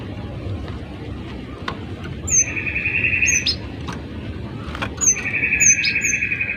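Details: Actively singing gelatik batu (cinereous tit) used as a tutor for other birds: two long harsh buzzy trills, each topped by scattered high thin whistled notes, with faint clicks in the background.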